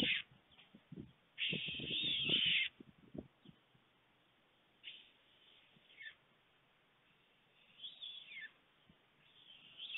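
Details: White storks at the nest in Fohrde, Germany, 23 July 2019 around 12:41 PM, when food is brought: a loud, harsh, hissing burst of about a second, then softer wheezy rasps trailing downward, with scattered knocks and rustles.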